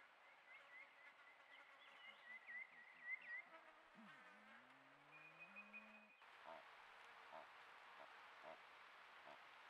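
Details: Malleefowl calls, female and male, at Patchewollock Conservation Reserve, Victoria: a run of low, pulsing grunts, then a deep, drawn-out rising moan; small birds chirp and whistle above, with steady insect hum.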